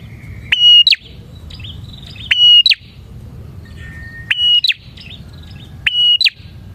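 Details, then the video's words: Bar-winged prinia singing actively, played to lure prinias: loud high phrases, each a steady piercing note with a rising flick at the end, spaced roughly two seconds apart, with faint twitters in the gaps. "suara burung prenjak gacor ini 💯% ampuh untuk pikat prenjak dan pancingan prenjak"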